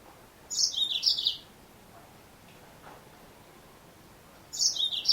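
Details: Two short bursts of high, rapid chirping twitter from a female Yellow-fronted Canary, separated by about three seconds of near silence, each burst under a second long and slightly descending.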